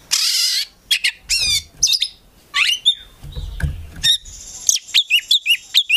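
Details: Collection Oriental magpie-robin (kacer) singing 'gacor full isian': a harsh rasping burst, swooping whistled slurs and squeaky notes, ending in an evenly repeated series of bright, clipped whistles.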